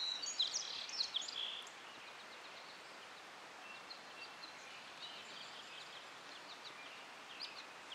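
American goldfinch giving a quick burst of high, sweet twittering notes, then faint scattered chips over a steady outdoor hiss.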